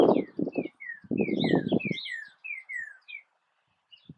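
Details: Northern cardinal singing in a backyard: a quick run of about ten clear, downslurred whistles, each sliding from high to lower pitch, over loud low thumping and clattering noise in the first two seconds.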